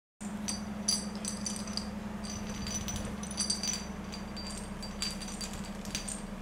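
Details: Two 2-month-old budgerigars playing with a knit ball give quick, high, squeaky chirps in short bursts over a steady low hum.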